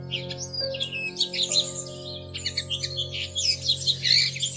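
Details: Bushtits at their plum-tree nest, watched from a living-room window in early May: quick, overlapping high chips and lisping twitters, almost unbroken, over a soft musical backing.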